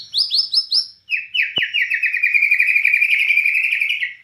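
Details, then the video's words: Bornean white-rumped shama singing in the 'gacor nembak cililin' style: four loud rising whistled notes, a brief pause, then a long, fast, buzzy trill held steady for about three seconds. One sharp click partway through. "Murai Batu Borneo Gacor Nembak Cililin"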